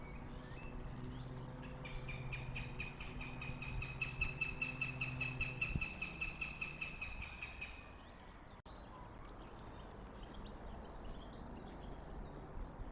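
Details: Northern goshawk at its nest in Tartu, Estonia, May 6, 2025: a rapid, evenly spaced series of harsh, pulsed notes lasting about six seconds, then fading, with a steady low hum underneath and quiet outdoor background afterward.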